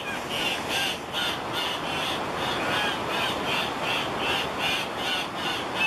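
Andean cock-of-the-rock giving harsh, nasal squawks in a fast, uneven series of two or three per second over a steady rushing background.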